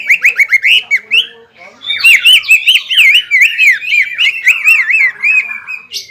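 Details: Greater green leafbird singing to provoke a rival: quick downslurred notes, then a rolling run of wavy, trilled whistles with sharp high accents, loud and continuous.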